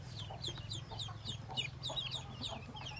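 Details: Yellow Muscovy ducklings just hatched by a white mother, 25 in the brood, peep constantly: quick, high, falling cheeps overlapping over a low steady hum.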